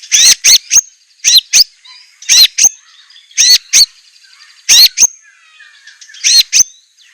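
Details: Murai batu, the white-rumped shama, with a fierce-voiced song: short clusters of two or three sharp, upswept whistled notes, repeated roughly every second and a half with quiet pauses between.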